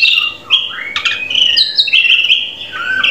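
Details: Drongo song meant to teach a captive bird to sing: varied whistled phrases with rising and falling slurs and sharp clicks, continuous and tuneful.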